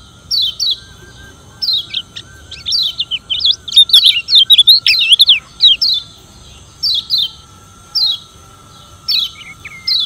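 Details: Challenging song of a Lombok yellow white-eye, used to provoke opponents: scattered high downslurred chirps, a busy warbling burst in the middle, then more spaced, sharp notes about once a second.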